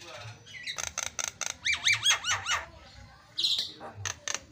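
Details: Javan myna on a training recording for other mynas: a quick series of harsh notes, then a bouncing string of squeaky, rising-and-falling whistled notes, a short pause, and a final buzzy rasp.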